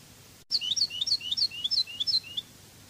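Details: Spanish Cádiz-style European goldfinch song from a song tape: after a short gap, a string of repeated two-note twittering phrases, high sliding notes alternating with lower ones, continuing for about two seconds.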